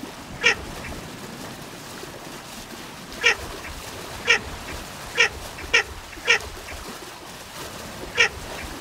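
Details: Harsh, clipped nasal calls from a Baer's pochard: seven brief rasping notes, irregularly spaced, some coming in quick pairs under a second apart, with a constant low hiss behind them.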